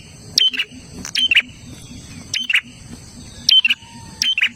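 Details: Olive-backed tailorbird calling in a lively chattering style, used to get caged birds singing: high, piercing two-part chirps with buzzy endings, several phrases close together over faint low noise.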